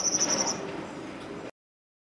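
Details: Two Purple-throated euphonias fighting, both possibly females, give aggressive calls: a quick burst of thin, very high chips, about five in half a second, then fade into a soft, noisy background.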